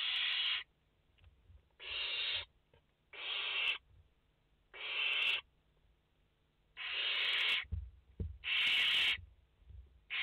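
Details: Five barn owl chicks in the nest, 29 August 2021: a run of six rough hissing screeches at uneven spacing, the last ones louder, with low bumps from movement.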